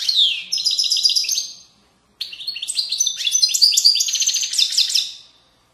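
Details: European goldfinch in Moroccan widaniya style, from valley banks. A rich, rapid twittering verse is followed by a brief silence, then a longer run of chattering trills, buzzy notes and sharp high whistles.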